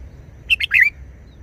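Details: Single short song phrase of a Red-whiskered bulbul in wild style: three quick, liquid whistled notes, the last one longer and bending down, over a faint low background hum.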